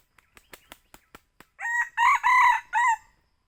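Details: Red junglefowl, a young bird, crowing as a hunting lure. A run of sharp dry taps comes first, then one four-syllable crow: a brief first note, two drawn-out harsh notes and a shorter dropping end.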